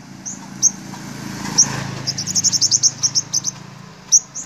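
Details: Sunbirds, said to be five-coloured, confront a decoy bird and fight it: very high, thin notes, first scattered sharp chips, then a quick run of about a dozen tinny chirps, over a faint low hum.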